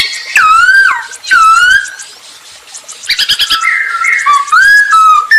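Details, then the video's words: Masked laughingthrush singing vigorously, used as a lure to get other birds singing; loud clear whistled phrases sliding down then up, in two bursts, followed by a rapid stuttering run of notes and more rising whistles. "Burung poksay hongkong gacor untuk pancingan"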